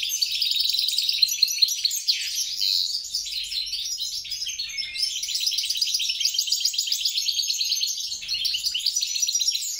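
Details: Hybrid mule of European goldfinch and grey-crowned goldfinch singing a fast, unbroken twittering song of bright chirps, trills and buzzy notes in a high register for about ten seconds, with no other sounds.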